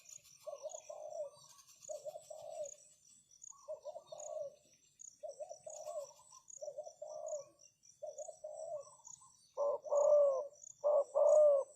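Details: Spotted dove decoy bird calling to draw in wild doves: low, mellow cooing phrases repeated about every one and a half seconds, the last two louder, over soft, regular high-pitched insect chirps.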